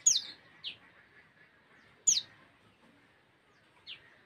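A common tailorbird gives loud, sharp, high chirps, each followed by a softer note, repeated about every two seconds over faint background hiss.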